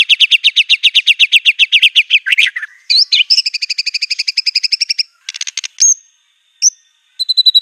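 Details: White-rumped shama in fierce, shooting song mixed with mimicked canary, cililin, cungkok and lovebird: fast repeated buzzy notes about four per second, slurred whistles, a thin dense trill, then scattered single high notes.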